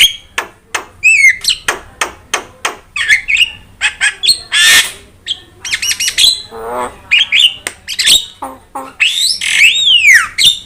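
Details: Starling (jalak) singing on a bird-training recording: loud snapping clicks in irregular runs, mixed with buzzy trills, harsh squawks and looping, arching whistled notes toward the end.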